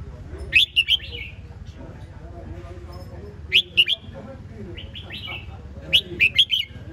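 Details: Red-whiskered bulbul song, a short chirpy warbling phrase of sharp and rising notes repeated three times about every three seconds, with a faint low hum in the background.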